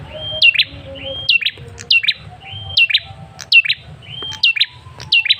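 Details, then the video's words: Male Ashy Tailorbird lure sound, played to get birds to respond. A level whistled lead-in runs into a sharply falling note and a brief lower chip. The phrase comes about once a second. "Suara pancingan Prenjak Kepala Merah jantan"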